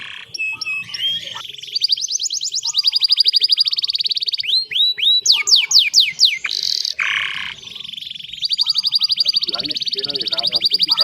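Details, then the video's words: Canary song used as a master recording to prompt silent canaries to sing: loud, rapid trills and rolling tours, sweeping repeated notes and long buzzy rattles, continuous and varied. "PANCINGAN KENARI MACET AGAR RAJIN BUNYI !! MASTERAN BURUNG KENARI"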